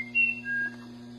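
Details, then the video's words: Musician wren (Cyphorhinus arada) giving two clear whistled notes, a high steady tone followed by a lower held whistle, then a faint soft trailing note, over a constant low hum. "Musician Wren (Cyphorhinus Arada)"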